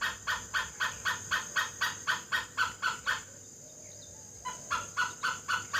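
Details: Great hornbill, known in Assamese as dhanesh sorai, in Assam: harsh, gruff barking notes repeated about four times a second, a brief pause midway, then the series resumes over steady high background hiss.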